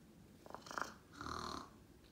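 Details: A female pet blue-and-gold macaw, seemingly tired and resting on her net, gives a couple of short breathy snorts, then one longer rasping, snore-like exhalation lasting about half a second.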